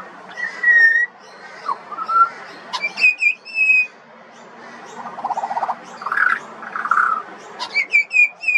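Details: A juvenile pied butcherbird whistles in bursts: level fluty notes, high thin slurs, and a softer warbling passage in the middle, with steady background hiss.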